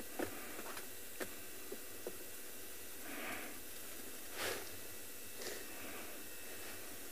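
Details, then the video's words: Oxpeckers, landed on top of a safari vehicle at sunrise on 4 November 2020 in Djuma Private Game Reserve, southern Africa, give a few soft, hissing rasps about half a second long, spaced a second apart, with faint clicks and low hum. "I'm gonna just relax for a little bit and let you enjoy the sounds of the oxpeckers on top of the vehicle."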